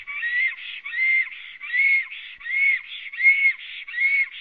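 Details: Long song of a black stork newly arrived at its nest in Latvia, 9 May 2017 at 19:32, from a live camera: a rhythmic series of whistled, slightly arched notes alternating with softer buzzy notes, about eighty per minute.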